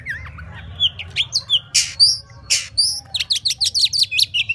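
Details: Oriental magpie-robin singing "múa 13 kiếm": slurred whistles and two loud rasps, followed by a fast, evenly spaced series of high chirps.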